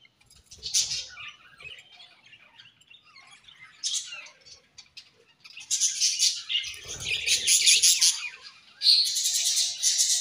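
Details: Budgerigars in the morning: soft scattered chirps at first, then bursts of loud, scratchy, warbling chatter from about the middle onward, with a brief pause before a final energetic outburst.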